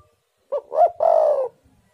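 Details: Single spotted dove coo phrase, meant to lure wild doves: a brief note, a wavering rising note, then a long, even, gently falling coo. Near-silent background.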